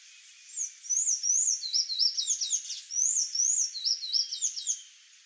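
A Sayaca Tanager sings a high, squeaky run of rapid rising and falling notes, two phrases in quick succession over a quiet background.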